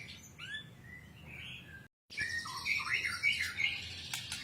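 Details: White-rumped shama fighter with full isian song: soft whistled slurs, then a brief silent gap, followed by louder rapid warbling of mixed chirps and rising and falling whistles, with faint ambient noise throughout.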